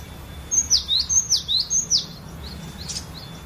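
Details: Collection cinereous tit, known locally as glatik batu, in variation song used to trigger other birds: three crisp high whistles sliding sharply down, each followed by a rising note, then fainter trailing chirps.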